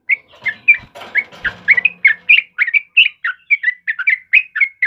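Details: Yellow-vented bulbul (trucukan kebo), a recording meant as a lure and master for caged birds: rushed, bubbly chirps in quick succession, with some rustling noise early on.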